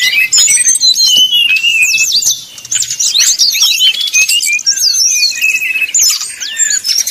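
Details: Brown-chested jungle flycatcher with flute-like 'nyuling' song, meant to make rival birds sing: clear descending whistles and quick chattering phrases, a short quieter gap midway, then loud varied whistling resumes.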